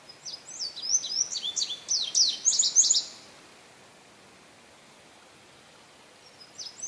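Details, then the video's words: At St. Johns Conservation on May 25, 2022, a male Indigo Bunting delivers a three-second run of high, sweet paired notes that step and slur downward, then falls silent before a faint new phrase begins. "Indigo Bunting Song"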